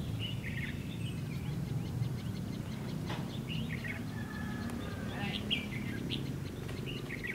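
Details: Red-whiskered bulbul giving fighting song at a fighting trap with a decoy bird, recorded 2 February 2016; short warbled, chirpy phrases scattered through the clip, several brief bursts repeated irregularly, over a steady low rumble of background noise.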